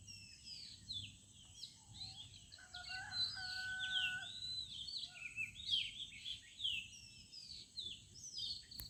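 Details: Morning chorus of village birds: many high chirps and slurred whistles overlap, with a few steady, lower, flat whistled notes in the middle, over a soft low background hum.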